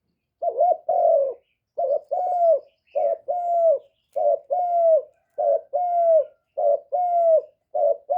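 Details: Spotted dove coo used as a lure call to stimulate and attract kept doves, recorded with no background noise: deep hooting coos in short paired or triple phrases, repeated steadily about once every second, clean and loud.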